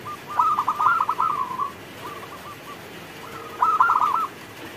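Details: Zebra dove, a local Indonesian perkutut, singing while rain falls: rapid rolling coos near one pitch, a burst of fluttering notes, a softer stretch of short beats, then another rolling phrase; faint hiss of rain behind.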